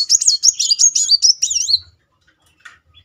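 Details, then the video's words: Fast rolling song of a Muncang sunbird, used to provoke singing in quiet birds: under two seconds of dense, very high, wavering twittered notes ending in a falling sweep, followed by near silence. "Kolibri Muncang gacor ngeroll || pancingan terapi memancing emosi Muncang macet."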